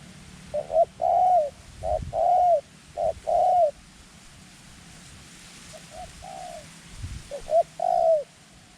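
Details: Small-voiced decoy dove with white claws luring wild doves during ground trapping; three clear short-long coo phrases, a quieter distant-sounding pair in the middle, then a final strong phrase.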